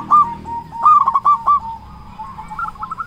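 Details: A local zebra dove with a big voice, recorded as a lure to stir doves to sing: a quick stuttering burst of loud coos, then a softer trailing series of fast notes.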